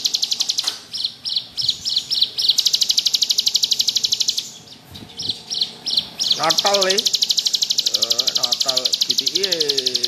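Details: Bar-winged prinia in lively 'ngebrem' style, suited as a tutor recording: long, dense, buzzy high trills of rapid repeated notes, briefly pausing mid-way, with lower sweeping squeaky notes near the end.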